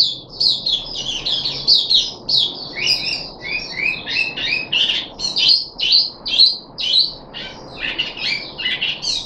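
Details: Caged puff-backed bulbul on its third day of deworming treatment, 14 July 2021, giving a fast, continuous run of varied chirps and slurred whistles, some notes dropping in pitch, about two per second, with a faint hum behind.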